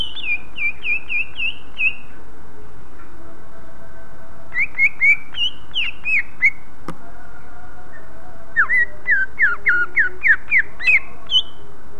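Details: Greater green leafbird song meant to draw other leafbirds into singing: bursts of rapid, clear whistled notes repeated in even runs, separated by short pauses, with a low background hum throughout.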